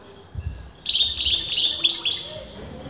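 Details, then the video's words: A European goldfinch, a bird whose sex top breeders disputed, delivers one continuous phrase of over a second of rapid, sparkling chirps at an even pace, ending abruptly. "غناء متواصل لمقنين"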